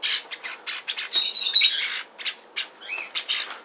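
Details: Hand-tame pet lineolated parakeet at a pet shop in Fukuoka, Japan, apparently happy, giving short harsh chirps and squawks in rapid uneven bursts, with one brief rising whistled note near the end.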